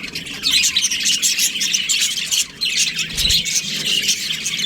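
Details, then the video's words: Australian budgie breeding pair giving busy, high twittering chirps and warbles, a brief dip near the middle, then a short low thump before the chatter resumes. "Australian budgies breeding pair | Budgies chirping sounds"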